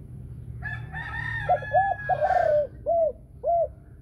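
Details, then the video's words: Spotted dove in the 'thổ sấm' (thunder-voice) singing style: a rooster crows at the start, then a run of low, hooted coos follows, with the last two notes spaced out and distinct. "Chim cu gáy giọng thổ sấm chuẩn"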